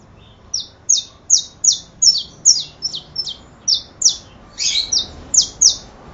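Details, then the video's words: Quick sequence of about fourteen sharp high chirps from a saffron finch, mostly single downslurs, with one rougher, buzzier note near the end. "Canario da terra"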